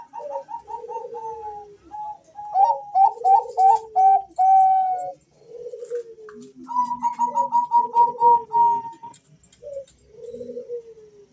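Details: Two male zebra doves of the Bangkok type answer each other, a lure recording meant to set other birds calling. Quick runs of short clear cooing notes alternate with lower, falling, purring phrases and a few longer held notes.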